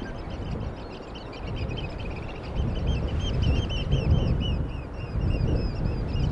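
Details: Seagulls on the beach in a sea breeze: a rapid, busy stream of short, harsh, slightly nasal calls from several birds, overlapping at roughly three per second, over a steady low roar of surf and wind.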